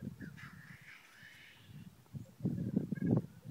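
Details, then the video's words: Lekking black grouse heard early on a Sunday morning in Glen Bruar, Atholl Estates: a drawn-out hissing rush early on, then dense low bubbling phrases that grow louder and more crowded toward the close. "Black Grouse Lek"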